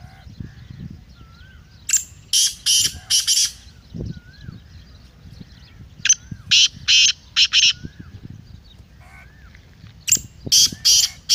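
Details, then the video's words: Black francolin calling. Three bouts of loud, harsh, grating notes, four to five rasping syllables each, come between pauses. Soft, curling whistles from other birds and low rumbling background noise are also audible. "Kala Teetar masti aur chakri k liye behtareen awaz/Black Teetar Voice"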